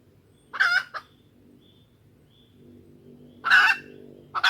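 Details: Female junglefowl lure call, used to draw males in and make them crow: two short harsh, harmonic cackling bursts about three seconds apart, with a faint low hum underneath.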